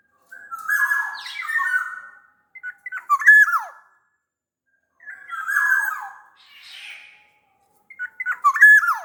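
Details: Sumbawa black-naped oriole, a lure recording to make reluctant orioles sing, alternating grating nasal squawks with bright fluty whistles that drop steeply in pitch.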